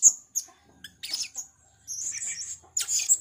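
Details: Blue-crowned hanging parrot, a female gocor serindit used as lure call, giving piercing high squeaks followed by rapid scratchy twittering chatter, with a low mechanical buzz underneath.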